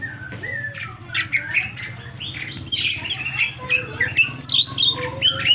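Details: Agitated greater green leafbird pouring out a fast, jumbled medley of sharp chirps, slurred whistles and squeaky notes, roughly two or three per second, over a constant low hum.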